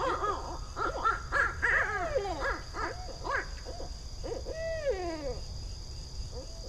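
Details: Barred Owl territorial call, broadcast as playback by day in streamside woods with big old trees in Charlotte to draw out resident owls: a wild, excited run of cackling hoots and whoops ending in a long descending hoo-aww, over soft hiss.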